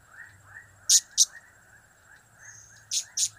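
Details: Two sharp, very high chips, a pause of over a second, then two more: a blue-crowned hanging parrot giving its cap-cap, kiak-kiak and crap-crap calls over a faint steady whine and low buzz.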